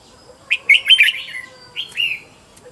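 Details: Red-whiskered bulbul kept as a decoy and trained at home, singing a lively phrase of quick warbled notes, then a single drawn-out downslurred whistle.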